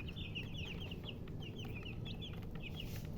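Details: Chicks giving quick bright peeps, roughly eight to ten clear downslurred chirps in a loose series, with a low steady drone behind them.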